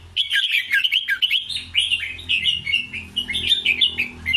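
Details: Red-whiskered bulbul delivering a 'double rik' style song: busy, unbroken bubbly whistles and quick slurred notes that rise and fall in rapid succession.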